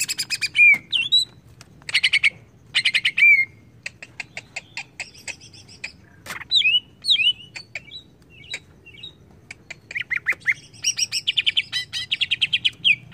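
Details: Leafbird lure meant to provoke agitation, a greater green leafbird singing varied phrases: loud buzzy bursts with slurred whistles, sparse clicks, twisting whistled notes, then a fast stuttering chatter near the end.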